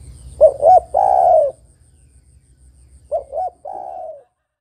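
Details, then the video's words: Female spotted dove calling for a male, recorded for luring. Two phrases of two quick coos and a longer falling coo, the second softer, against a faint low hum that drops away at the end. "tekukur betina memanggil jantan - UNTUK PIKAT"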